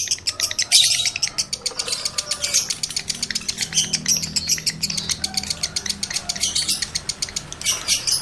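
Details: Lovebird male in breeding condition chattering as a lure for other males; dense, rapid, high, clicky notes with occasional louder squeaky bursts, kept up throughout.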